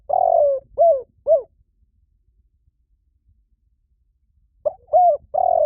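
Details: Spotted dove lure call: the end of one phrase with a long falling coo and two short arched coos, a pause of about three seconds, then a new phrase of clipped and long coos begins.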